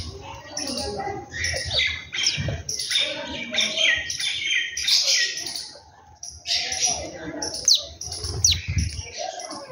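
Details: Morning birdsong at home, with several birds giving bright, high tweets and quick chirps in clustered bursts separated by brief pauses, and a faint low background hum.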